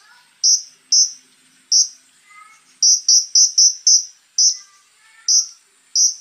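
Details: Scarlet-backed flowerpecker (konin) singing in rough 'tembakan kasar' style, in full voice with fill-ins: sharp, very high clipped notes in irregular bursts, some quick doublets and triplets, with faint lower twittering between them.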